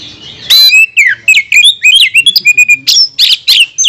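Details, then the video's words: Oriental magpie-robin provoking song aimed at rival magpie-robins: after a brief pause, a dense, fast sequence of loud whistled notes, downslurs and high chips, varied in pitch. "Kacer mana yang tak mau Konslet dengar pancingan suara kacer ini"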